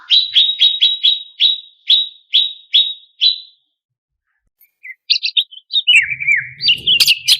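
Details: Greater green leafbird, cucak cungkok, used to provoke competition birds: a slowing series of sharp falling chips, a pause, then scattered whistles and a slurred, swooping phrase with faint low thumps.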